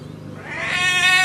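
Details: A pet macaw calling "Grandpa" gives a single drawn-out, nasal, rising call that swells in loudness and holds a rich, buzzy tone to the end.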